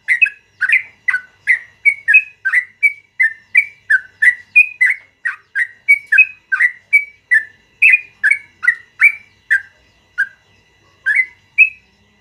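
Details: Yellow-vented bulbul delivering a long rolling morning song: a sustained string of about thirty crisp, slurred whistled chirps, rising and falling, closely spaced, slowing near the end with a short gap.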